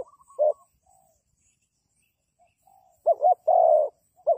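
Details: Spotted dove used as a decoy for trapping. Sparse cooing: one short low coo near the start, then after a pause a stuttered double note followed by a long steady coo, with another short note at the end.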